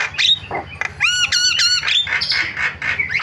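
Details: Starling (jalak) lure calls intended to get other starlings calling: scratchy bursts, then a run of three ringing, nasal rising notes near the one-second mark, followed by more harsh chatter.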